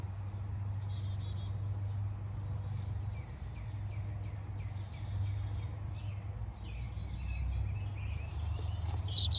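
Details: Chickadee nestlings in a backyard birdhouse chirping while a parent visits a nearby feeder: thin, high, quickly falling chirps in loose bursts, some overlapping, over a steady low hum.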